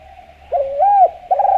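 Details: Javan spotted dove, a vigorous caller recorded as a lure for other doves: one low, rising-then-falling coo followed by the start of a quivering second note, with a constant faint hum behind.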